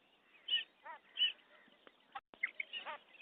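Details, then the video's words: A female common quail gives short, nasal notes and quick rasping phrases at irregular intervals, a few per second at most, with a faint background hiss. "Female common Quail sounds madi batair ki awaz batair ki kirk"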